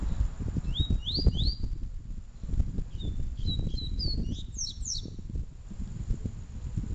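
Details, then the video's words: Seedeater song, Double-collared, in a Peteleco and Desejo style comparison: three rising whistled slurs, then a fast jumble of short high notes ending in downward swoops, over loud low rumbling and tapping noise. "Papa Capim Peteleco Vs Papa Capim Desejo"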